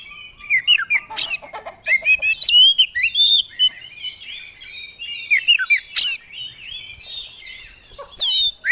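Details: Oriental magpie-robin, a competition songbird, singing a dense, nonstop medley from its repertoire of fill-in phrases: chattering trills, sharp chips and warbled whistles at a fast pace.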